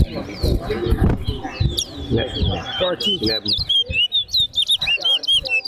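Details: Towa-towa in a singing competition on a center ground; people talk over the opening, then the bird bursts into a quick series of high, slurred whistled notes repeated in short pulses.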